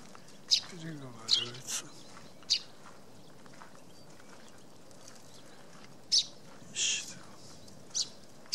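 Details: A Eurasian tree sparrow at a tree hollow in a poplar gives short, sharp, high chirps spaced irregularly a second or more apart, with a brief low voice-like sound early on. March 2017, Tatyshev Island on the Yenisei, Krasnoyarsk.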